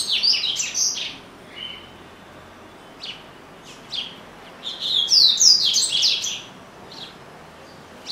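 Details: A home-kept double-collared seedeater, noted for singing constantly, opens with a loud, fast jumble of high whistles, then spaced single chirps, then another rich burst of rapid sliding notes.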